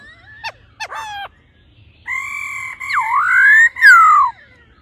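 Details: Female laughingthrush calling 'ro ro' to excite a male: two brief sharp notes, then long sustained whistles overlaid by a swooping note that dips and climbs, then a bright descending slur.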